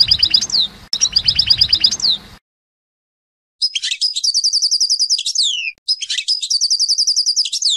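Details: European goldfinch song phrases, called 'sorties': two high bursts of rapid tinkling notes with upward and downward slurs, a short pause, then two longer buzzy, twittering phrases, bright and clean.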